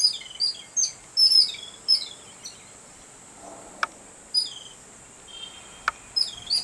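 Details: Excited babbler reacting to a cat, a noisy bird found in groups of five or six: clusters of shrill high chirps, a quiet gap in the middle, two sharp clicks, then more chirping, with a constant high whine behind.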